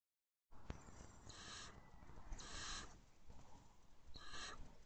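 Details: Possibly male barn owl at a nest box at 4:29 am on 5/2/23, at night: three harsh, hissing screechy bursts, each about half a second long, spaced a couple of seconds apart, with a sharp knock near the start.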